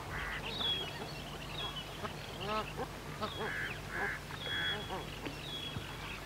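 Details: Siberian cranes, adults and young, with bar-headed geese calling in the background: overlapping nasal honks, short buzzy notes and thin high whistles in a busy, continuous chorus.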